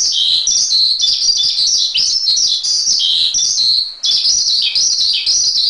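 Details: Javan pied starling singing for a masteran recording, with busy chattering chirps and downward-slurred whistles, a short pause near the middle, then a fresh burst of loud varied notes.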